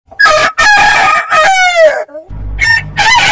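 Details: Domestic roosters of heritage breeds crowing: several loud, harmonic crows in quick succession, each rich and slightly falling at the end, with a short pause before two more crows begin.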